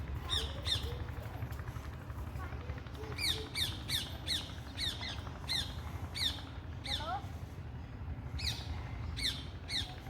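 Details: Parrots giving loud, harsh squawks with rasping overtones, about fifteen calls spread unevenly over ten seconds, some in quick pairs, over steady low background rumble.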